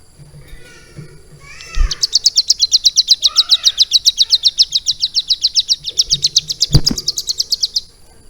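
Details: Captive prinia (ciblek gunung) tutored for around three months on lovebird song: after faint soft chirps and a sharp click, it launches a fast run of high, piercing repeated notes, about six each second for six seconds, with another click midway.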